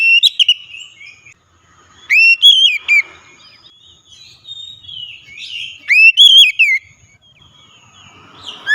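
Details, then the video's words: Oriental magpie-robin song played as a lure to get a reluctant bird singing: loud, clear whistled phrases with sharp upswept and wavering notes, given in short bursts separated by quiet pauses. "kicauan nyaring pancingan ampuh Kacer malas bunyi langsung gacor"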